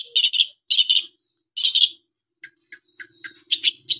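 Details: Long-tailed shrike in lively voice: three harsh, buzzy, grating bursts, then a quiet scatter of short ticking notes, ending with loud rasping calls.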